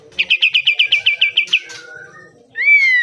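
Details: Pied triller (kapas tembak) song for training caged birds: a quick even run of about eleven chipping notes, a soft lower whistle, then one long clear whistle sliding upward and gently down.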